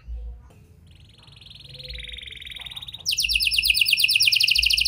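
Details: Canary singing vigorously in a song style with prenjak and lovebird phrases, used as a lure to get silent canaries singing: a faint, steady high buzzy trill that drops in pitch, then a loud rapid rolling trill bursts in after three seconds.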